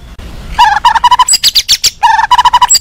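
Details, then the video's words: Agitated white-rumped shama song meant to provoke other shamas into responding: mellow, evenly repeated hooting notes in quick runs, broken by a burst of high, harsh, scratchy notes, then the mellow run returns. "suara murai emosi bikin murai lain nyaut. pancingan murai batu bunyi"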